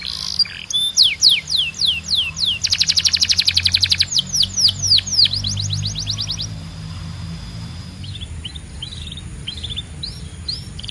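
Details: Belgian canary song: loud falling slurred notes repeated in quick series around a brief buzzy rattle, then fading after six seconds to faint distant chirps over a soft low hum.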